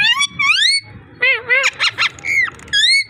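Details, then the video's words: Ringneck parrot talking: loud, rich, curving harsh notes, a cluster of rapid choppy syllables and wavering calls, ending with a strong rising squawk. "Amazing ringneck parrot talking and voice"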